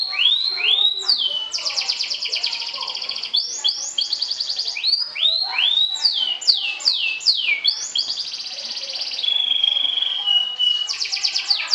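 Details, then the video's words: Sobek canary, a contest champion, trilling to taunt rivals: loud, fast, downward-swept whistles in runs, interleaved with dense rattling trills and a level whistled tone, continuing vigorously throughout. "SUARA KENARI SOBEK SOBEK JUARA NGETRIL TAKLUKAN LAWAN, PANCING EMOSI!!!"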